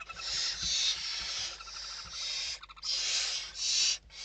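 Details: Western barn owls inside a nest box in Spain during evening feeding on 29 November 2023: long harsh hissing screeches, overlapping and nearly continuous, with short chittering notes between them and faint bumps and scratching.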